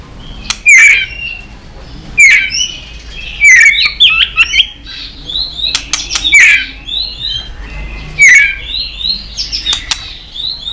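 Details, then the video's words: White-rumped shama in competitive song: short bright whistled phrases repeated roughly every one to two seconds, each with a sharp click, alongside softer thin high notes in the gaps. "Chòe lửa kéo dây suối dài .đánh đuôi cực sung kích cực nhạy. kích chòe lửa căng lửa. chòe lửa tạch"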